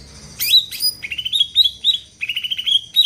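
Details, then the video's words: Greater green leafbird singing to provoke other birds: sharp high whistles, then quick rising chirped phrases repeated in short bursts throughout. "Cucak ijo gacor di jamin bikin yang lain ikut rajin bunyi dan emosi"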